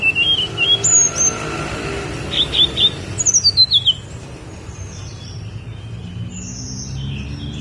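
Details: Snowy-browed flycatcher on Songgo Langit mountain sings several bursts of high, sharp whistled notes, including a fast descending string of five or six, with fainter songs trailing off afterward.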